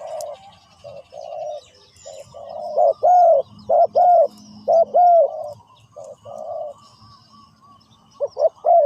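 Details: Spotted dove used as a decoy on the ground to lure wild doves, giving deep hoarse coos: short paired notes then a longer falling coo, repeated in a steady phrase with faint chirps from other birds.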